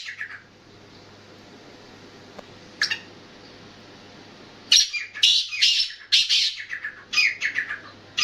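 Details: Black francolin calling: after a quiet start with one short harsh note, a run of loud, rasping, grating notes bursts out in tight clusters during the second half.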